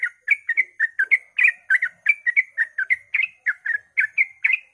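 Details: Quick 'ropel' dawn song of a sooty-headed bulbul, meant to make other bulbuls sing along; steady series of bright chirped notes, several per second, alternating rising and falling slurs.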